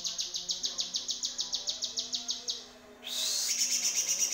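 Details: Yellow-vented bulbul in a harsh-style tutor recording for training songbirds: rapid, even series of sharp, high ticking notes about five per second, breaking into a brighter, faster buzzy rattle near the end.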